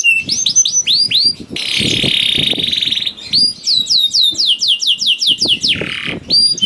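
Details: Canary singing as a lure for canaries that are slow to sing: paired curving whistles, a sustained harsh buzzy roll, then a regular series of sharp descending notes and a low buzzy phrase.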